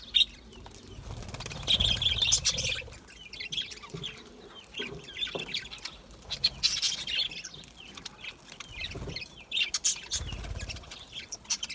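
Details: Budgerigars chirping: bursts of high, scratchy chatter and short squeaky notes come and go in waves, with quieter gaps between, plus some low rumbling in the background.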